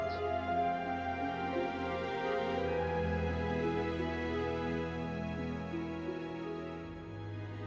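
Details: Soft, sad background music with sustained tones and gentle instrumental layers throughout, and no animal calls.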